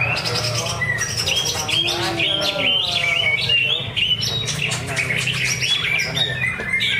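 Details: At a songbird practice contest at Danau Bumi Restu, Cikunir, a Greater green leafbird pours out a fast, dense stream of bright whistles, chirps and trills, with other songbirds overlapping and a low crowd murmur beneath.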